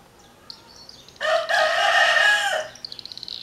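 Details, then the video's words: Rooster crowing loudly over the song of an andorinha tesoura: a short lead-in, then a long, rich, harmonic crow held about one and a half seconds, followed by quick faint chirps from the smaller bird. "galo atrapalhando"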